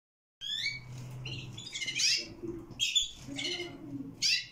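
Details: Canary chicks, 22 days old: harsh, raspy chirps and wheezy squeaks in uneven bursts roughly every second or two, some notes rising, with faint low background hum.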